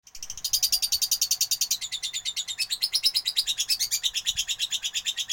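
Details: Lovebird, kept as a competition fighter bird, giving a fast, steady trill of high buzzy chirps repeated about seven times a second without a break.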